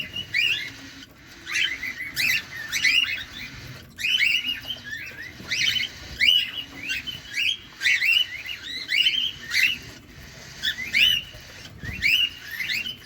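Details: Cockatiel, a caged pet parrot, calling while feeding, seen close up: repeated bursts of chirpy, warbling notes with rapid up-and-down inflections, grouped into short phrases about every second, with faint background noise.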